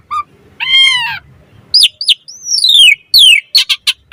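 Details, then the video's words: Asian pied starling 'mompa' variation used as tutor and lure for starlings: a nasal harmonic squawk, short sharp notes, a long falling whistle, then a quick cluster of harsh chips. "Suara Jalak Suren Mompa Variasi AMPUH Buat Masteran & Pancingan Burung Jalak Agar Full Gacor Isian"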